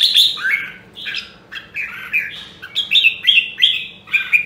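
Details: Red-whiskered bulbul of the Nam Đông, Huế line, kept for voice training, singing loud, rich warbled phrases of slurred whistles, short bursts separated by brief pauses, some notes buzzy and descending.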